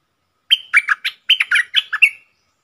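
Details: Bold wild red-whiskered bulbul comes in to sing aggressively at a caged decoy bird and then leaves. It gives a quick string of about eight chirpy, warbled notes, opening with a bright sustained whistle, over roughly two seconds, with silence around it.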